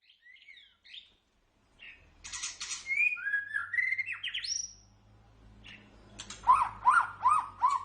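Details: White-rumped shama song used as masteran training material for pet songbirds: varied phrases of sliding whistles and short buzzy bursts, ending in a rapid run of repeated bright rising notes, with pauses between phrases.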